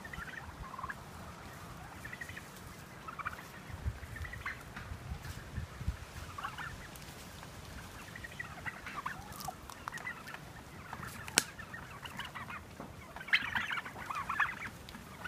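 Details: Heritage turkeys on a farm walk through pines toward pasture, following people: scattered short chirping and yelping calls spread across the recording, fairly faint, over steady crunching and rustling of footsteps.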